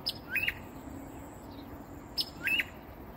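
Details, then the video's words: Varied song of a northern mockingbird hidden in a peacock flower bush in south coastal Texas, early morning, close by: a sharp high tick then a rising-falling whistled slur, the same phrase repeated twice about two seconds apart. "Northern Mockingbird Song"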